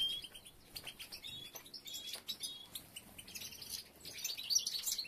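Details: Goldfinches during nest building by the females, with several nests in progress; moderately faint high chirps and clear short whistles, becoming a thicker twittering chorus near the end.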